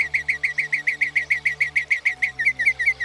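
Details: Northern Mockingbird singing: a fast, even run of short, bright chirped notes, about seven per second, shifting slightly in tone near the end, over a steady low background music drone.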